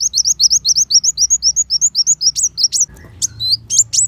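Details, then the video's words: Kolibri wulung, Van Hasselt's sunbird, repeats a neat series of high hooked whistles about five per second, then breaks into a sharper, jumbled burst, a 'tembakan besetan pedas' tutor recording for white-rumped shama. "Pancingan Kolibri Wulung Full Tembakan Besetan Pedas"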